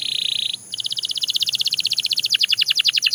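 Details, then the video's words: Belgian canary song starting with a dense buzzy trill. After a brief break comes a rapid pulsed rattle that drops in pitch into faster, deeper strokes. "The Most Effective Canary Singing Sound – Belgian Canary Edition"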